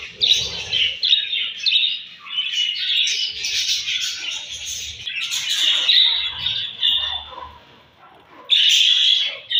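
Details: Several budgies chirp at morning feeding: steady scratchy warbling and squawky chirps, dipping quieter near the end before a loud burst, with soft knocking sounds indoors.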